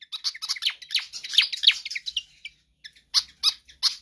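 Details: Vigorous pied fantail song for training or luring other birds. Fast run of sharp, high squeaky notes over the first two and a half seconds, then a short gap and four spaced, bright chirps.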